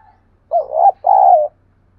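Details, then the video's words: Provoking cooing of a spotted dove, played to lure wild doves and get a decoy calling along. A pair of low hollow phrases: a rippling opener, then a longer smooth coo; a faint low hum underneath. "Tiếng chim cu gáy thúc đấu cực đỉnh mở lên bổi và mồi gáy theo"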